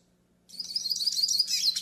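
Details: Pintassilgo do nordeste, or yellow-faced siskin, warm-up and tutoring song: after silence, a continuous, very high, rapid twittering warble with tinkling notes runs for well over a second.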